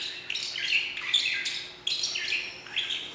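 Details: Magpie shrike in captivity at Philadelphia Zoo singing in harsh, shrieking bursts of high, strained notes, in phrases about every second, with a faint steady low hum behind.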